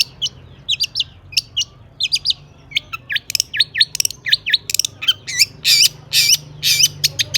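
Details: Long-tailed shrike singing a varied mimicry-filled song, played to provoke other shrikes into song. A jumble of chips, twisting slurred whistles and harsh squawky notes grows louder and denser toward the end.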